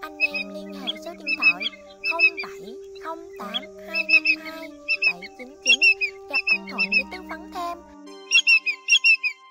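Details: Common greenshank giving clear, ringing high notes in quick runs of two to four, repeated irregularly over a steady low humming drone; recorded in August 2022.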